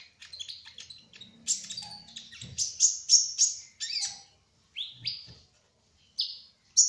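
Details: A sunbird, described as a spotted ("trotol") kolibri ninja, sings a rapid run of high, thin chirps and sharp twittering notes in quick bursts, with short pauses and a few soft low knocks.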